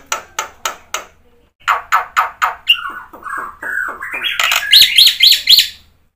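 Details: Black-winged myna singing with fill-ins to stimulate silent birds: separate harsh clicks, then a quickening series of rasping notes and slurred whistles, ending in loud, high, scratchy repeated squeals.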